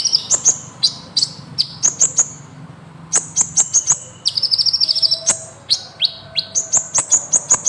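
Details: Kolibri ninja sunbird singing gacor rolling song as a masteran recording: repeated pairs of sliding high chirps, bursts of very high ticks, and a quick shimmering trill midway.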